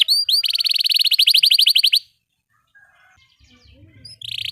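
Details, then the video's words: Canary singing in the 'ngerol' rolling style with 'cuit cuit' chirps: two upswept notes lead into a fast, even trill lasting about two seconds, then near silence with faint low noise before the trill resumes. "Kenari GACOR PANJANG Cocok utk Terapi Kenari Macet, Masteran Kenari Paud Belajar Bunyi"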